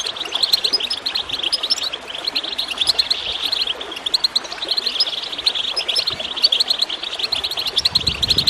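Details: Goldfinch song for prompting birds to sing: steady, dense, high twittering with quick chirped notes and trills, over a continuous backdrop of gurgling water.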